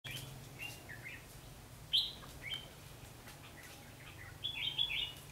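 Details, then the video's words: Red-whiskered bulbul kept as a lure bird for trapping, recorded 21 November 2016: scattered short chirpy whistled notes, a sharp bright note near two seconds, then a quick warbled burst near the end, over a steady low hum. "Bẫy chào mào bộ đẹp ngày 21/11/2016 phần cuối ( mồi lả )"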